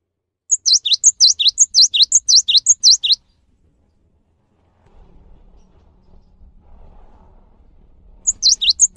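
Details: A cinereous tit, played to prompt other birds to sing, delivers a quick string of high, swooping two-note whistles for about two and a half seconds. A long silence with faint low hum follows before the same phrase starts again.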